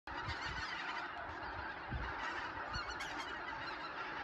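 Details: Wild Greater white-fronted geese at Mount Iwaki, a dense chorus of overlapping nasal honks from a large flock, with a few low thumps.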